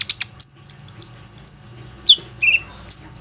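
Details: Plain-throated sunbird singing to draw other sunbirds into song, phone-recorded: a run of four level high whistled notes, then a few downslurred chirps and thin high whistles, with a low hum beneath.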